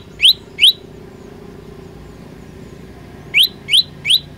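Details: Olive-backed tailorbird delivering short bursts of song: two sharp rising chirps, a silent gap of nearly three seconds, then three more in quick succession, over a soft low background hum.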